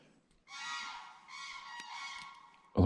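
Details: Common crane in Sweden, heard during a pike-fishing trip, gives two loud, rolling, trumpeting calls, each about a second long and rich in harmonics, ending with a sharp thump of handling noise.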